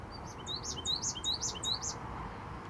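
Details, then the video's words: Male American goldfinch in bright breeding plumage singing up close in Iowa, recorded handheld: a quick run of high, sweet twittering notes, some rising and some dropping, strung together in a lively, cheerful phrase. "American Goldfinch Singing Up Close"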